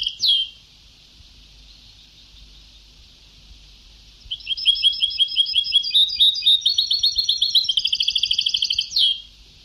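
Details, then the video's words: Vintage recording of a European goldfinch in the old Sebta (Ceuta) singing style: a short slurred note, a quiet gap, then a long run of rapid repeated twitters speeding into a dense buzzy trill before stopping abruptly. "Canto del jilguero antiguo شريط تغريد سبتاوي قدييييييم روعة"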